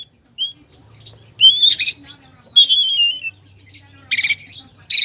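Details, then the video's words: Oriental magpie-robin singing a full song packed with imitated fill-in phrases, used to rouse a sluggish bird: thin rising whistles, a long descending whistled glide, and harsh buzzy bursts near the end, with faint low hum beneath. "Kacer full isian , cocok buat pancingan emosi Kacer lemot"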